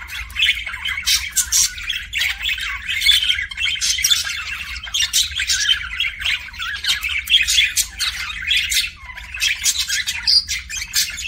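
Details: Kissing sounds from a pet budgie: fast, continuous warbling chatter of clicks, squeaks and short whistles, loud and unbroken, with faint low hum.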